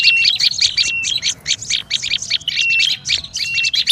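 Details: Olive-backed tailorbird in a noisy lure recording. Harsh, squawky chips come in quick clusters, broken by several short level whistles and a few brief pauses.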